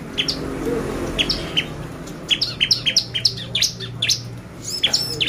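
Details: Bar-winged prinia singing a lure meant to excite other birds, with bright, steeply falling high chirps in irregular bursts and a steady low hum beneath.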